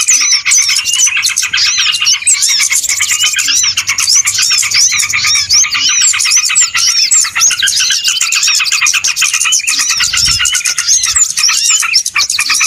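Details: Small birds calling in a lure recording meant for trapping: a thick, continuous chorus of high chirps, trills and sweeping whistles from numerous birds, with a brief low thump near the end.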